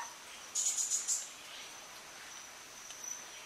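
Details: Cuban Pewee (Contopus caribaeus) call at Soroa, Cuba, July 2017: a quick burst of four thin, high notes in under a second over a steady high insect hum.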